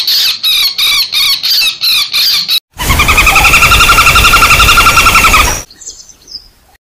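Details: Common flameback lure combining fighting and screaming calls: choppy, piercing shrieks in quick regular bursts, a short gap, then three seconds of harsh continuous rattle, ending in faint scattered high chirps.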